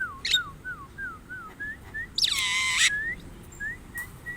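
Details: Javan myna: a run of clear, slurred whistled notes, each dipping then rising, followed by a loud harsh rasping burst and then more short rising whistles.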